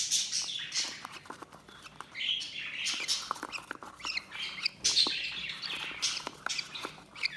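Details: Budgerigar chatter: continuous high, buzzy warbles mixed with squeaky chirps and frequent sharp ticking clicks.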